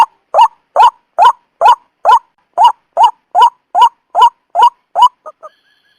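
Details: White-breasted waterhen calling for a trapping lure, a run of short harsh rising notes about twice a second that ends with two softer, quicker clipped notes before silence.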